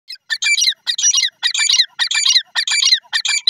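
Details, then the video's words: Wild jungle grey francolin (gora teetar) calling: loud, harsh, squeaky phrases of rapid clustered notes, repeated about seven times in under four seconds at a steady pace, with no other sounds. "Gora teetar voice,jungli teetar ki awaz"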